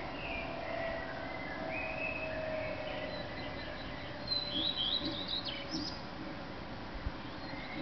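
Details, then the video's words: Early-morning male common redstart in Berlin on 10 May 2010, answered by a second redstart, blackbirds singing: lower fluty blackbird phrases open, then a high, fast, twittering redstart phrase, with steady background hum throughout. "Common Redstart singing/ Gesang des Gartenrotschwanzes (Phoenicurus phoenicurus)"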